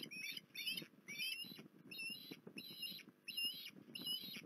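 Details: Seven strident, upslurred whistled calls from an osprey at Port Lincoln, 19 January 2021, spaced roughly every half second over steady low rustling noise.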